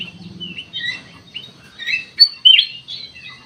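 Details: Lively Sooty-headed bulbul song, used to lure and provoke responses: quick whistled and chirped notes, the strongest sharp phrases coming near the end, over a soft low hum.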